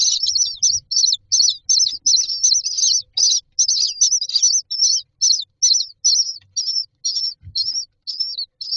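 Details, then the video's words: Hungry myna chicks in a nest box call rapidly, about two or three scratchy high chirps per second, steady and insistent, with a few faint low bumps. "Myna chicks are standing in a row waiting for food"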